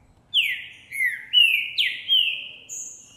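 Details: Green-winged saltator male of the Boi song type, singing strongly after seeing a female; January 2024. Five clear, descending slurred whistles end in a thin, high, steady whistle. Background is quiet.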